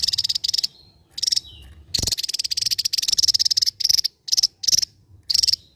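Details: Javan white-eye, a bird endemic to Java, singing in the sharp 'ngebren' rattling style: high buzzy pulsed bursts of varying length, some long and drilling, separated by short pauses, with faint thin whistles between them.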